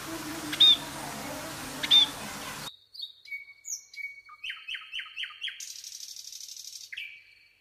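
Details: Nightingale singing: after a noisy opening with two sharp chirps, a clean run of varied notes, a series of five rapid, falling strokes, a fast buzzy trill, then a long descending whistle.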